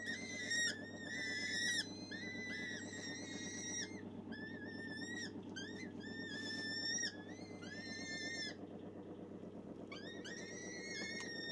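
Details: Gyrfalcon hybrid in a falcon breeding setting utters a rapid series of short, bent whining calls, then a quieter pause, then more drawn-out wails, over a constant low droning hum.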